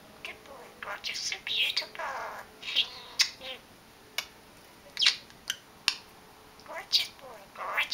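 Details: A pet male budgerigar chatters in a high, squeaky voice, imitating human phrases such as "You're beautiful", "Good boy" and "Gorgeous boy" in quick, scratchy, mashed-up bursts.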